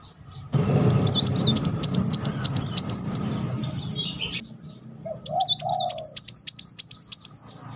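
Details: Van Hasselt's sunbird used to trigger singing: two bursts of rapid, high, rolling zigzag twitters separated by a pause with a soft lower chirp and background hiss.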